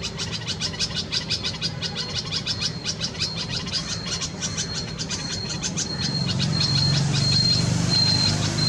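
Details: Red-vented bulbul feeding chicks at its nest in a Karaunda bush, Delhi garden, India, May 2020, during peak summer heat; fast series of crisp high chirps, then a thin steady high tone repeating in short pulses, with louder low rumble later.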